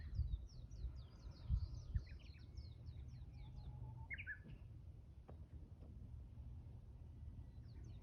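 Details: On Mount Yahiko, a Japanese bush warbler gives one low held whistle that breaks into a short, higher, tumbling phrase. Thin high chirps of other birds fill the start, over a steady low background rumble.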